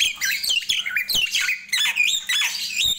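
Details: Loud morning phrases from a Nias hill myna, made of fluid whistles that rise and fall in pitch, with harsh squawky notes packed in between, delivered continuously and energetically.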